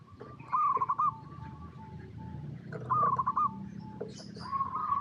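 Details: Local zebra dove cooing, a sound used as a lure to get other zebra doves singing: two loud, rolling, stuttered coo phrases about two seconds apart, with fainter trilled coos from another dove in the background.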